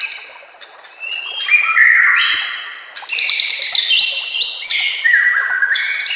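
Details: White-rumped shama song for training caged birds, accompanied by nature sounds and running water; reverberant held whistles drop in steps, then a louder burst of high, overlapping ringing phrases.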